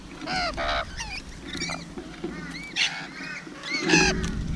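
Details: Rainbow lorikeet calling while feeding: harsh, raspy screeching bursts with strong harmonic bands, loudest near the start and end, mixed with shorter squeaky chirps and thin rising notes over a steady low rumbling background noise.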